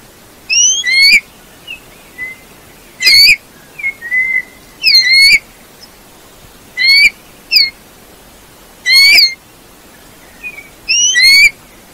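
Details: Eurasian bullfinch song of repeated rising, slightly upslurred piping whistles in short bursts every two seconds or so, with occasional softer flat notes, over constant background hiss.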